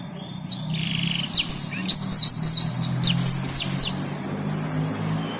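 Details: Black-throated canary song used to tutor canaries and yellow-fronted canaries: a short buzzy note, then a rapid sequence of bright, looping, downslurred whistles and chirps lasting about three seconds, with steady low hum beneath.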